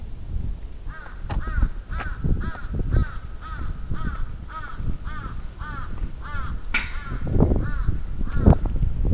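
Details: Crows attacking in Atsubetsu Ward, Sapporo, on 27 June 2017, giving harsh arched caws about every second, steady and repeated, over heavy low rumbling noise and thumps.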